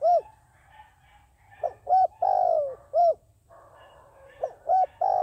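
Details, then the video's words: Trapping decoy dove giving a steady string of mellow coos: short rounded notes followed by one longer, drawn-out, falling coo, then another run of short hoots; faint high bird chirps above. "Tiến cu mồi gáy chuẩn, gọi là đếnh"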